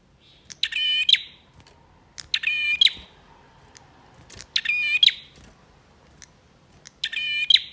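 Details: Male bar-winged prinia in full, energetic song, used to stir silent birds into singing: loud, rattling trilled bursts with a whistled edge, each under a second long, repeated about every two seconds against faint background hiss.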